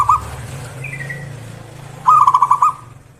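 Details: Zebra dove calling in the morning: one soft coo, then a quick rolling run of about five staccato cooing notes; a faint thin whistle from another bird sounds in between.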